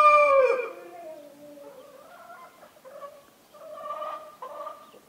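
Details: Domestic rooster on a farm in the Massif central in winter crows: a loud, harsh opening burst trails into drawn-out, wavering notes that fade over several seconds.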